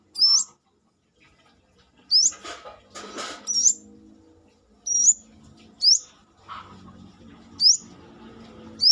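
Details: Brown-throated sunbird singing energetically outside its cage, Indonesia, used as a song tutor: a run of sharp, high rising whistles about a second apart, with brief rustling noise bursts between some notes.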